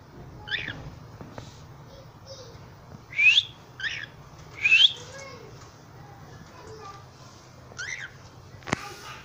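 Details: Cockatiels calling: scattered short, harsh chirps and two bright rising whistles, spaced a second or two apart, over a faint low hum.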